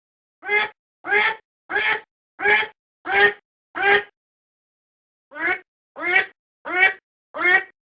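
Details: A domestic duck, recorded to serve as a decoy, utters six evenly spaced raspy quacks, falls silent for over a second, then resumes with four more quacks at the same steady pace.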